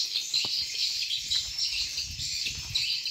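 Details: High, thin twittering from many swiftlets at a Borneo swiftlet farm, overlapping into a constant shimmering chorus over faint low clatter.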